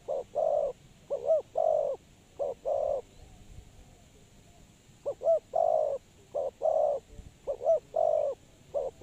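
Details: Spotted dove cooing, a call used as a lure for trapping: low, hollow coos grouped in phrases of four or five notes, some swelling then dipping, with a pause of about two seconds between phrases over a faint steady hum.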